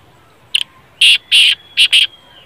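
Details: Black francolin (kala teetar) call: a short grating lead-in, then four loud harsh rasping notes in an uneven rhythm, the last two close together.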